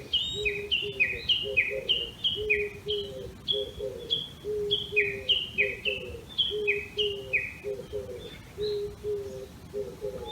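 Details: From a bamboo grove in Tokyo's Tama area, early morning on 26 May 2019, a Japanese bush warbler that returns every year gives its valley-crossing call, a long rapid run of sharp down-slurred 'kekkyo' notes, over a steady lower pulsing sound.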